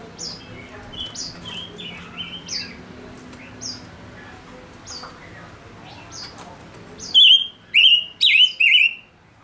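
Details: Male Gouldian finch singing as a decoy bird to lure others. Faint high chirps lead into loud, clear whistled phrases that bend up and down, given in three quick bursts near the end.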